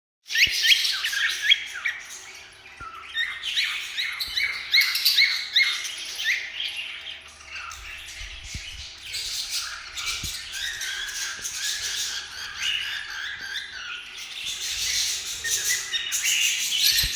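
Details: Grey cockatiel, a pet, chattering with busy high chirps and short squawky notes in quick succession.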